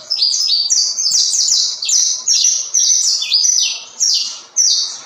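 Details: Busy, high-pitched saffron finch song, quick stacked slurred notes in repeated bursts roughly twice a second, steady and loud throughout.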